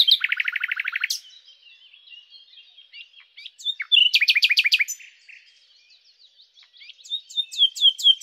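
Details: A common nightingale (Luscinia megarhynchos) opens with a fast rattling trill of about fifteen notes, then soft twitters, a loud repeated series of sharp notes, and a run of descending whistled slurs.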